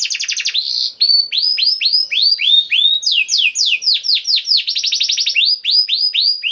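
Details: Canary song used as a lure to get other canaries singing: a rapid chain of rising, up-swept whistled notes, repeated about four times a second, shifting between fast trills and slower looping phrases, clean with no other sounds.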